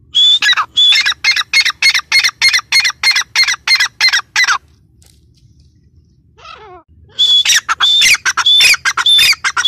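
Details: Female grey francolin, called teetar, repeats a loud, harsh note roughly twice a second for over four seconds, each note a high whistle dropping into rasp. After a quiet gap with a faint distant call, the rhythmic calling starts again.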